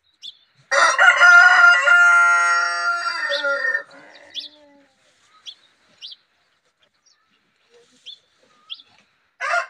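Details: A white rooster gives one long, loud, harsh crow of about three seconds that trails off, followed by a few soft, short clucks and chirps.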